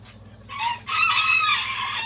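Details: Bantam roosters of many colours crow at a bantam breeding farm: a short burst, then a longer, strained, drawn-out crow from one or more birds, with faint background noise.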